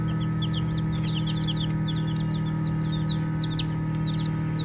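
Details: Several baby chicks at play give quick thin peeps, brief rising and falling slurs in loose irregular bursts, with a constant low droning hum beneath them.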